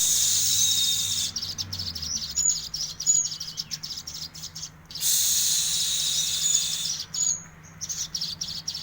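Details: Olive-backed sunbird (sogok ontong) singing lively, in the gacor isian style: dense, high buzzy trilled bursts, with thin whistled notes between them and a second burst after a short pause.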